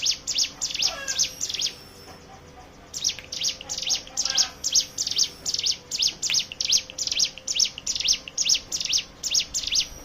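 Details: Lure song of a hill prinia for prompting other birds to sing: after a brief opening run, a long steady series of high, piercing chirps about twice per second.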